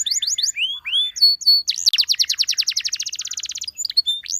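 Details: Canary calling other canaries to sing. Whistled rising and falling slurs come first, then a long rapid trill of sharp descending notes lasting almost two seconds, ending in a few scattered whistles.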